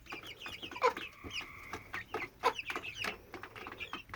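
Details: A 10-12 week old hen that started this nonstop sound on 22 May 2017 and seems otherwise well: a sustained droning tone with scattered short chirps and clicks around it.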